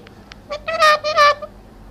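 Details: Talking parrot speaking Urdu or Hindi: a short run of harmonic, voice-like syllables, two faint clicks, then two louder drawn-out tones close together, each about a third of a second long.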